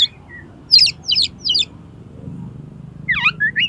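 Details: Oriental magpie-robin in 'konslet' song, meant to make another magpie-robin spread its tail: quick bursts of high, twisting whistled notes, a cluster of three, a pause, then a rapid rising-and-falling run.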